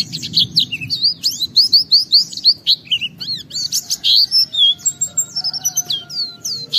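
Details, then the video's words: Gacor oriental white-eye pouring out its 'isian' song material to provoke other white-eyes into singing: quick strings of thin, high, slurred whistles and chirps, some notes repeated in short runs, with a soft low background rumble. "Pleci Gacor MUNTAHKAN Isian Memancing Semua Pleci Ikut Gacor Bongkar Materi"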